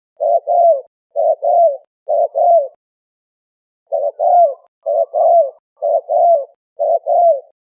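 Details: Malay turtle dove calling to attract wild birds: rhythmic low coo pairs, each a clipped note and a longer descending note, three pairs, a short pause, then four more pairs, with no background noise.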